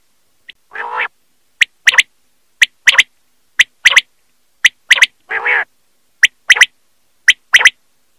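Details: Common quail (Coturnix coturnix), call.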